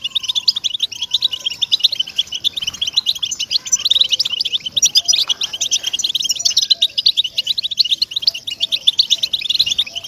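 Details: Goldfinch song used as a singing stimulus for captive European goldfinches. A fast, continuous chatter of high, jingling notes fills the whole stretch, with several short, faint lower whistles near the end.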